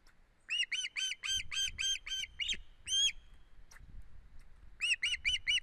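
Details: Osprey at an Estonian nest on 1 September 2016, making strange head movements, gives bursts of sharp whistled chirps, about eight in quick succession, a pause with one louder note, then another run of four.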